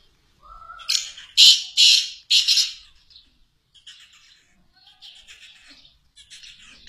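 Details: Captive black francolins calling: a rising whistled note leads into four loud, harsh, grating bursts over about two seconds, then fainter scratchy notes trail off in a quiet background.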